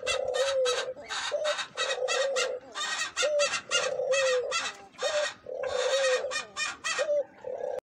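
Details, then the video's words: Cooing of a Eurasian collared dove: deep, drawn-out notes in groups with short pauses, some sliding downward. Bursts of fast, buzzy chirping pulses come in clusters across the whole recording. "تغريد اليمام القمرى_اليمام المطوق"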